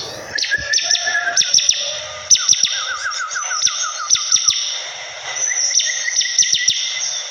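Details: Bar-winged prinia singing in a lively, chattering flow: rapid steeply falling high notes repeated in bursts, with short rising trills and lower whistled strokes woven between them over a steady high hiss.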